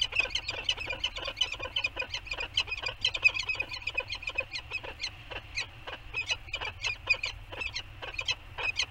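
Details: Pair of Anacapa peregrine falcons, male and female, meeting in the nest bowl on the morning of September 15, 2020, during a bonding session with beaking. Rapid, harsh, clipped chattering notes repeat several times per second throughout, over a low rumble.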